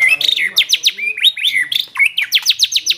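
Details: White-rumped shama in full varied song, alternating clear whistled slurs with rapid descending sweeps repeated in quick series, loud and close.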